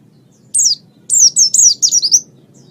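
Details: Oriental white-eye song from a master recording used to train other birds: one high descending whistled note, then a rapid run of four or five sliding, downward-swooping notes, clear over a faint low hum.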